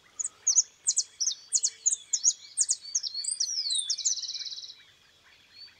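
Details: White goldfinch, free rather than caged, singing a quick run of high, sharp chirps and twittering slurred notes that speed into a fast, dry buzzy trill near the end, then fade to quiet.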